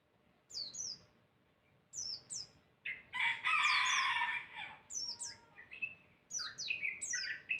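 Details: Lively masteran bird song used to draw answering calls: clusters of high, falling whistled notes separated by pauses, interrupted midway by a loud, harsh, broadband burst; quiet background otherwise.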